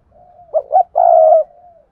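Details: Spotted dove used as a decoy, calling daily: a soft lead-in hum, two short gruff notes, then a drawn-out steady low coo fading away, heard close and clean.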